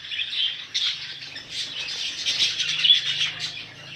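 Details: Many budgerigars held for sale keep up a soft, uneven babble of high chirps and squeaks, with a faint low hum underneath.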